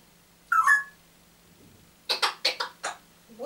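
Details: A pet African grey parrot that gets up very early and wakes everyone gives a brief warbling whistle, then a quick run of five harsh, voice-like chattering syllables in a quiet room.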